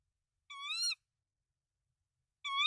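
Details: At a Danish tawny owl nest holding three eggs, 24 March 2024, while the male delivers rodents to the female: two loud, rising, harmonic calls, each about half a second long, two seconds apart, in otherwise silent surroundings.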